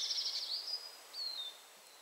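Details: Eurasian treecreeper (Certhia familiaris) song in Poland (51.974, 20.247): very high, thin notes, then a fine whistle sliding gently downward, faint against soft background hiss.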